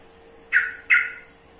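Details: Yellow-vented bulbul producing a pair of rasping, squawky notes in quick succession, the second slightly longer and trailing away, with a low steady hum underneath.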